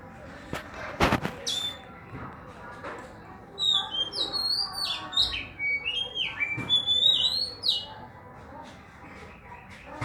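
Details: Oriental magpie-robin song with a few sharp clicks at first, then a lively stretch of high, sweet whistles and quick upward-flicking notes repeated for about four seconds before fading to soft chirps.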